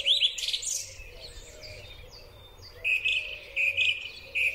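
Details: Song thrush in spring, recorded with a Huawei P30 Pro phone: a burst of high chirps, a quiet gap with a thin whistle, then one clear note repeated about five times, with a low cooing bird faintly behind.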